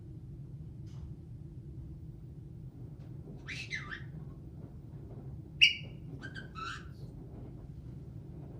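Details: Pet caique parrot, shown singing, laughing, swearing and dancing, giving scattered short calls: a rough downward chatter, a sharp high squawk, then two clipped buzzy notes, with long quiet gaps and low room hum.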